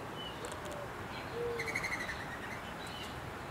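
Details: An American robin parent gives a single low, soft hooting note, then a brief burst of quick, harsh chirps, encouraging a nestling to leap from its nest on a house light fixture in suburban Detroit, over steady hiss.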